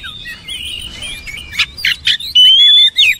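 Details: Oriental magpie-robin song: soft warbling whistles build into loud clipped notes and a long pure whistled note, then a final slurred phrase.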